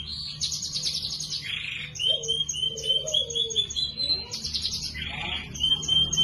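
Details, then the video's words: Canary tutor song for training other birds, lively and ornately phrased: bursts of rapid high trills alternate with buzzy rasping notes and long thin sustained whistles, low faint slurred notes, and constant low background hum. "Suara burung kenari GACOR Cuit cuit nembak ‼️ CENGKOK MEWAH cocok untuk masteran"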